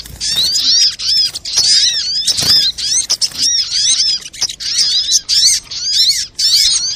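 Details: Brown-throated sunbird in a lively lure recording for prompting song and trapping with birdlime. Dense, high-pitched chattering of rapid slurred chirps runs in short clusters, with brief breaks throughout.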